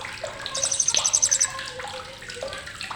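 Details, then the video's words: Blue-crowned hanging parrot (srindit) giving sharp chattering, used as tutor song for cage birds: a rapid run of very high, shrill, evenly spaced chips lasting about a second, over lower twittering and splashing, water-like background noise. "CRECETAN TAJAM BURUNG SRINDIT"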